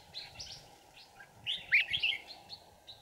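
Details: Red-whiskered bulbul decoy singing during a trapping session on 5 January 2018 to lure wild birds: a few faint, short warbled notes around the middle, over a steady low background hum.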